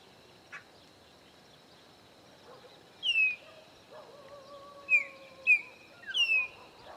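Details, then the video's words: Chopi blackbird visiting a farm in the Caatinga of Bahia, Brazil, three birds present; bright falling whistles in quick succession, with a lower sustained whistled tone midway and a continuous insect buzz. "Chegaram Os Pássaros Preto No Meu Sítio"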